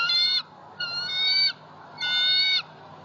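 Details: A female bald eagle at a Southwest Florida nest on 26 November 2019, screaming in delight as she claims an opossum tail brought by her mate. Three strident, squealing notes about half a second long, separated by short pauses, over low background hum.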